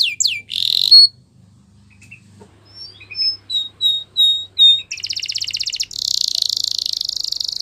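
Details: Canary singing Spanish Timbrado song meant for training canaries. Two opening sweeps and a brief buzz, then a pause, a row of short, pure, evenly spaced whistled notes, and finally two long, dense, buzzy rolling trills.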